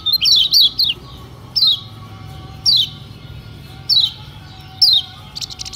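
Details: Lemon-bellied white-eye singing as a lure for other white-eyes that are slow to sing. Several rapid high slurred notes open, then lone clear down-swept whistles repeat at about one-second intervals against a soft hum.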